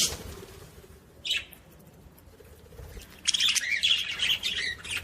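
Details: Budgerigar chirps played to stimulate other budgies: a short bright chirp near the start, then a dense burst of twittering, warbling notes over the last two seconds.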